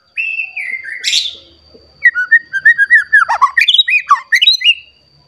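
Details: Agitated white-rumped shama searching for a rival, singing its fill repertoire: a clear falling whistle and a high burst, a short pause, then a quick string of loud rich whistled notes dipping and rising in pitch.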